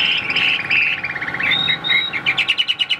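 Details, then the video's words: Caged Chinese hwamei singing a bright, varied phrase of quick chirps and short whistles, ending in a rapid run of clipped, evenly repeated notes. "Họa mi số 1153 Mộc dở chim đẹp"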